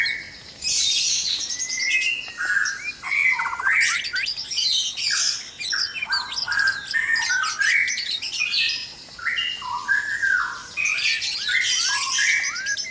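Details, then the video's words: Noisy dawn chorus of white-rumped shama in a breeding cage, rich loud melodic whistles, slurred and rising phrases delivered in quick succession, layered over constant high sharp chirping and twittering throughout. "Suara murai batu berisik dikandang ternak saat subuh"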